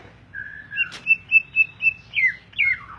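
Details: Greater green leafbird giving a short phrase: a level whistle followed by five evenly spaced clear whistled notes, then two loud downward-sliding slurs; soft low hum behind.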